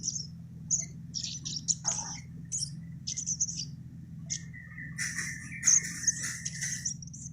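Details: Crimson sunbird (sogon) song made of bursts of high, thin, squeaky notes with pauses between them, then a lower buzzy warble near the end, all over a constant low hum.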